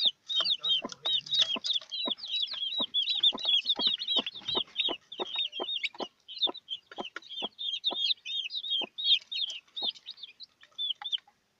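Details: Freshly hatched chicks beside their broody hen keep up rapid shrill peeps, several birds calling over one another, dense at first and thinning toward the end, with soft scattered clucks and taps underneath.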